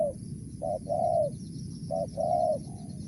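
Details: Spotted dove cooing in Mersik, Tukang Keliling style, two rounds of a short note then a sustained mellow coo, ending with a soft trailing note, over low rumbling noise.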